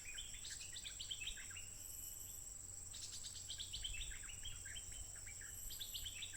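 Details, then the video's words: Wild stripe-throated bulbul, smartphone recording from 15 June 2021, delivering unceasing song in two rich phrases of fast, liquid, jumbled chirps, with a persistent piercing insect whine throughout. "Burung Merbah Lekir Liar Terbaik Garang Tanpa Henti Berbunyi"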